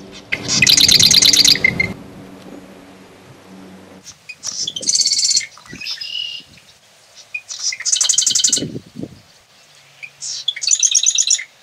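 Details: Marsh wren (Cistothorus palustris), a small wren of North America, sings repeatedly: several short, rapid chattering trills separated by brief pauses, with a few soft low thumps in between.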